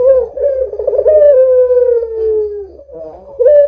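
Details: Barbary dove calling eagerly as a lure for other doves: a bubbling rolled start opens into a long steady coo that slowly drops in pitch, then a fresh coo begins right at the close.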